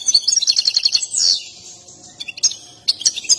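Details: Excited European goldfinch singing while dancing, a display prized by breeders and tagged as mating song: a fast, dense run of high tinkling, twittering notes for about a second, then a slide and scattered sharp chirps with short pauses.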